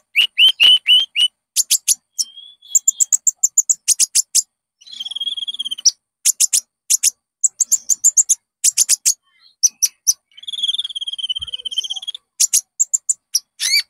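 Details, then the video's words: Konin (olive-backed sunbird) lure song for training caged birds: rapid chirp trains mixed with two long buzzy trilled notes and high clipped whistles, fast and varied. "PANCINGAN KONIN AMPUH JERNIH"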